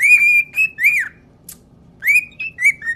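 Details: Pet cockatiel singing: clear whistled notes near one pitch, some held and some slurred upward or downward, in two bursts separated by a pause, over a faint low hum.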